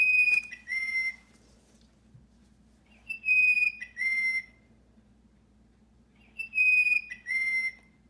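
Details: A Mountain chickadee, the mountain species of Colorado, sings clear, pure whistles: one high note followed by two lower ones, repeated about every three seconds over a faint low hum.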